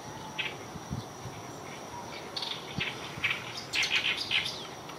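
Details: Oriental reed warbler singing on the morning of 9 June 2023: harsh, grating chattering notes in uneven bursts that grow louder and denser toward the end, over a steady high insect-like hum and a broad hiss.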